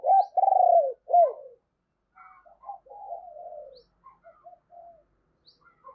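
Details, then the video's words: Decoy spotted dove giving its calling coo to lure wild doves: a burst of loud, rapidly pulsed coos with a long falling note, followed by a string of softer, lower trailing coos. "Chim Cu Mồi Thúc Và Gáy Gọi Bổi Mới Dùng Kích Bổi Hiệu Quả"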